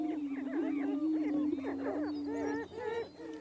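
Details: Greater prairie-chickens on a Missouri prairie booming ground, where hens choose mates by the best dancing and booming, give a low hollow booming moan beneath a chorus of whooping, cackling calls.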